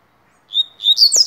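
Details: Rusty-collared seedeater, tui tuí song style for tutoring: a steady high whistle that breaks into a loud, rapid, bright twittering burst, with a click near the end.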